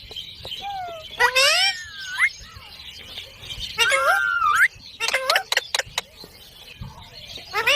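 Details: Parrot calling in natural surroundings, a run of harmonic, sharply rising and falling squawking notes in short bursts separated by brief pauses, with one longer level whistled note near the middle.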